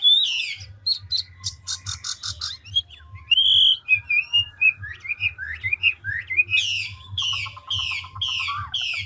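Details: Continuous voice-switching song of an old wild-caught ngũ trường Chinese hwamei: a sweeping opener, rapid clicking trills, a long run of varied liquid whistles, then repeated harsh downward sweeps over a low hum.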